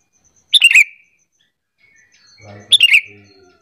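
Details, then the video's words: Sooty-headed bulbul lure call meant to prompt other bulbuls to answer: two bright, bubbling chirp phrases about two seconds apart, each a quick tumble of notes dropping in pitch, over a faint low hum. "Pancingan Kutilang biar bunyi gacor sahut sahutan"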